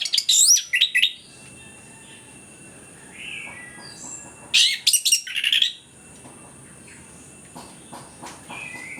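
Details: Orange-headed thrush (anis kembang) in full vigorous song, used as a lure to get quiet birds singing: two bursts of rapid, varied high whistles and harsh chips, separated by softer faint notes, over a steady thin high whine.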